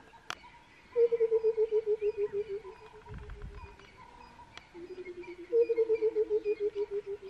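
Burchell's coucal gives a deep, bubbling run of hooting notes, about three a second, that slide gently down. A second run follows after a pause, with faint clicks behind.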